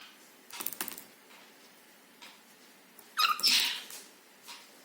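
A cockatiel gives a brief, harsh, buzzy screech with a rasping, harmonic-rich tone.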